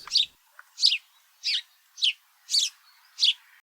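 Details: House Sparrow in an Arizona desert backyard in spring gives six simple, bright cheep notes, about one every two-thirds of a second, with nothing else heard.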